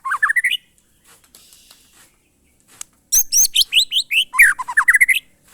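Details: White-rumped shama, locally murai batu, in its monotonous glondong song: a short rising run of notes, a pause, then a longer burst of high sharp notes and a descending-rising whistled series.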